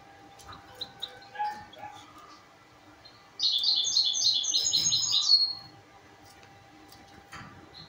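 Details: Baby pied goldfinch-canary mule hybrids used as song tutors: soft scattered high chirps, then a bright rapid twittering run of dense repeated notes for about two seconds, followed by quieter calls.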